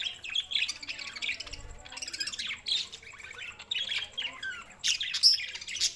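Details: Budgerigars recorded on June 7, 2024, chattering in a dense overlapping stream of high chirps, squeaky warbles and short squawks, with bursts coming and going every second or so.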